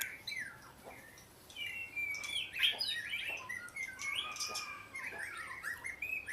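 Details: Oriental magpie-robin singing a rapid, varied medley of whistled slurs and chirps, rising and falling, the notes tumbling quickly one after another.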